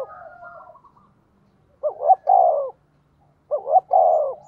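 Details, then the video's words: Decoy spotted dove cooing rapidly to draw wild doves into calling. Two low, mellow coo phrases, each a quick stuttered pair of notes then a drawn-out falling coo, about a second and a half apart, after fainter coos at the start. "Chim Cu Mồi thúc tốc độ có kèm nghe cực hay, bổi nghe phát gáy luân"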